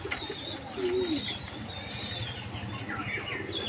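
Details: Jacobin pigeon giving a single low, rolling coo that rises and falls, with high chirps from other birds and a steady background hiss.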